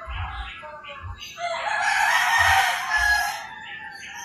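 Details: Rooster crowing at daybreak in the rural Philippines, a broad, hoarse crow swelling and fading over two seconds, with shorter calls before it and low knocking sounds underneath.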